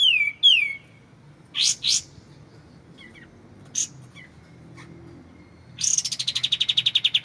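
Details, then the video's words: Bright white-shouldered triller song: two falling whistles, a pair of high bursts, scattered soft chips, then a long rapid series of pulsed high notes that steadily descends in pitch, in a clear-voiced recording with pauses. "MASTERAN kapas tembak suara jernih"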